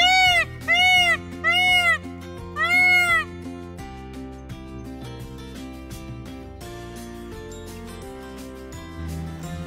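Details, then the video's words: An Indian peacock close by on the ISKCON temple grounds in Vrindavan, where tame peafowl roam unafraid of people, gives four loud, wailing, cat-like calls in quick succession, each rising then falling; music plays through the rest. "এই দেখুন আমার পাশেই একটা ময়ূর আছে আর ময়ূরের ডাক তো অবশ্যই আপনারা শুনতে পাচ্ছেন"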